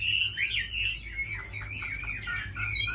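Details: Short burst from a tame Chinese hwamei praised for its song: clear swooping whistles followed by quick downward-slurred notes and a rising final phrase.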